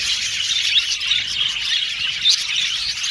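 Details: Colony of male violet budgerigars in an aviary, continuous high chatter of overlapping chirps, with a sharp whistled note near the end.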